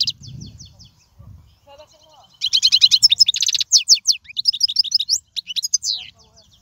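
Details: Goldfinch singing, a recording for tutoring young birds: a few soft chirps over low murmuring noise, then an energetic stream of fast twitters, buzzy notes and slurred whistles.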